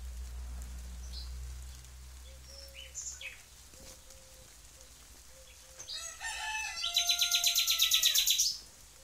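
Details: Nightingale song opening with soft, spaced low whistles, then building into a loud, fast, evenly repeated rattle of very high notes that stops abruptly.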